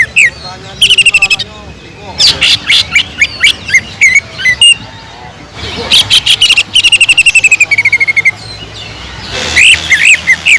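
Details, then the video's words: Lure song of a greater green leafbird trained with kingfisher-imitation fills: rapid series of sharp chirps and slurred whistles, about four notes per second, in bursts separated by short gaps, with faint low background rumble. "PANCINGAN CUCAK IJO GACOR ISIAN ISTIMEWAH TENGKEK UDANG"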